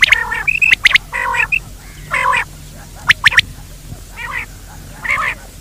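Quail giving harsh, nasal squawking notes in short bursts, broken by sharp clicky chips, about one burst every second over a quiet background.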